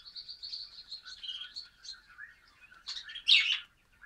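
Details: Active male budgerigar on its first day in a new home, 14 December 2013, chattering in a quick run of high warbled chirps and trills, ending in a louder scratchy burst.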